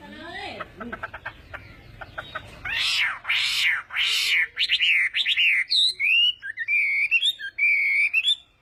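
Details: Chinese hwamei in morning singing practice: starts with quick ticking clicks, then loud sweeping harsh rising-falling calls, followed by a flowing series of varied whistled phrases.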